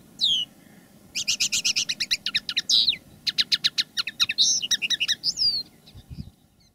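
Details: Common linnet decoy bird singing live, one of two birds with different song styles: a descending whistle, then a long even rattle of rapid repeated chirps and twangy slurred notes over faint low background hum.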